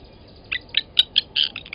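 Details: Blacksmith lapwings at Gowrie dam waterhole, Djuma Game Reserve, Sabi Sand, South Africa, 07:47 on 29 August 2020, as one adult grabs a chick from the nest and kills it; sharp metallic notes in quick uneven bursts.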